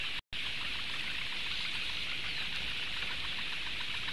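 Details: Steady hiss like heavy rain or running water fills the recording, broken by one brief dropout near the start, with no animal calls heard.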